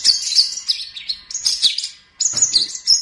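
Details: Long-tailed shrike song on a training recording for songbirds: loud, high, squeaky twittering phrases, a short pause, then another burst of shrill chirps and sharp whistles.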